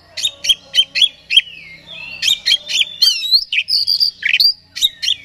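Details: Oriental magpie-robin (kacer) song meant to provoke a rival: a run of five sharp, evenly spaced chirps, then mixed whistled phrases, slurred notes and further clipped chirps.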